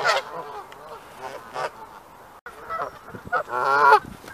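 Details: Pre-breeding Canada geese, territorial in pairs and honking at intruding geese. A few separate nasal honks with quieter gaps between them, then a louder burst of rapid honking near the end.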